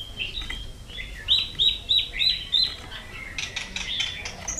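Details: White-rumped shama trained for competitive fighting song: five sharp, high, evenly spaced whistled notes in quick succession, followed by a scatter of softer chirps.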